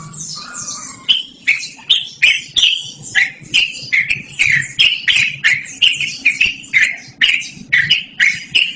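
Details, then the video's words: Long-running 'ngerol' singing by a yellow-vented bulbul, meant for bird luring or song training: after a short buzzy opening, a rapid, regular series of harsh clicked chirps, about two per second, continues to the end. "BURUNG TRUCUKAN GACORR NGEROL DURASI PANJANG"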